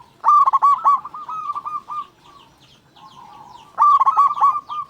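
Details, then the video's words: Local zebra dove in full song, used to stimulate other zebra doves: a loud burst of rapid, throaty notes flowing into softer trilled cooing, a quieter pause, then another strong burst. "Perkutut Lokal Gacor Suara Paling Ampuh Untuk Pancingan Burung Perkutut Agar Bunyi"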